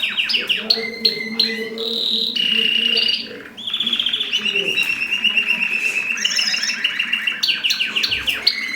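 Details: Mosaic canary song during mating: quick chirps run into sustained whistled notes and long, rapid rolling trills that shift between two pitch levels, with a faint low hum underneath.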